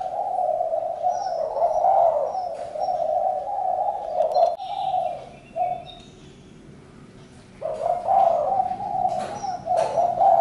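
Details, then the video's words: Spotted dove producing long stretches of low, grainy cooing, broken by a silent gap of about two seconds before resuming, with faint high bird chirps. "Chim cu gáy-Đam mê tiếng chim cu"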